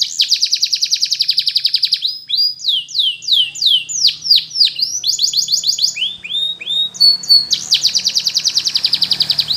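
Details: Training song of a Belgian canary meant for young birds: rapid high trills alternate with series of sweeping downslurred notes, a brief steady whistle, then another fast rolling trill.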